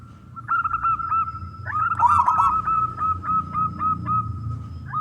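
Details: Local male zebra dove song used to draw other doves into calling: a long trill of quick pulsed coos at one pitch, interrupted midway by a louder crackling burst, over a faint low hum.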